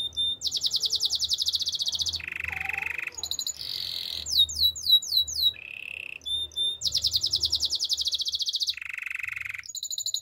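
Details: Spanish Timbrado canary training song alternating fast high bell-like trills with low buzzy rattles, a short burst of slurred whistles in the middle, then the high trills return.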